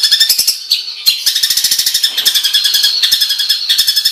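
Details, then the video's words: Master recording of a songbird with harsh 'tembakan' fill notes for competition training: rapid rattling strings of grating notes, broken by brief harsher squawks, continuing without pause. "suara tembakan kasar untuk masteran"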